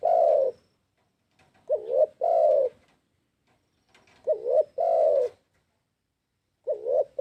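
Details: Spotted dove calling, used as a lure for trapping: low cooing phrases, each a short double-noted coo followed by a longer drawn-out coo, repeated roughly every two and a half seconds with short silent gaps.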